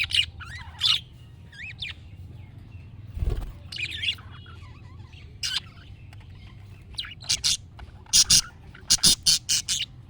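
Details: Budgerigar calls intended to make a pet budgie answer: varied whistled and squeaky chirps, ending in a run of loud sharp chirps repeated about twice a second.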